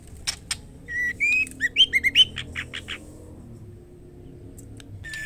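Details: Female white-rumped shama calling the male: two sharp clicks, then rising whistled notes leading into rapid chirps and evenly spaced harsh notes that fade into quiet hiss.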